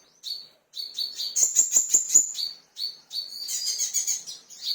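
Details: High, thin piping notes from a crimson sunbird provoked by a lure sound, broken by a fast, sharp chattering trill and later a run of excited high twittering, with short pauses between bursts.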